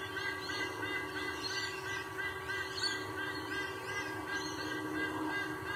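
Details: Male sea eagle at its nest in Sydney, Australia, giving a run of nasal, goose-like honking notes, about three per second, over a steady low hum and background noise.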